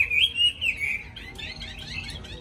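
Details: Tame caged hwamei with a wild forest-style voice, a bird that sings constantly and starts singing as soon as its cage is hung out, giving clear whistled phrases that slide and waver, followed by quicker, higher warbled notes.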